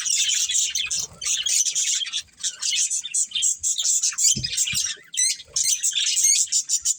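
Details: Budgerigars, a breeding pair, in a busy stream of high, scratchy twittering and rapid squeaky notes, broken by short pauses and a few quick ticking bursts near the end.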